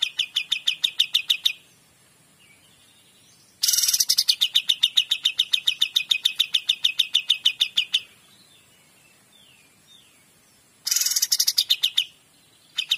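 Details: Cream-vented bulbul (kapas tembak) delivering repeated bursts of 'gacor dor' song, each starting with a harsh noisy blast and running into quick, evenly spaced chipping notes, with quiet gaps and faint twitters between phrases.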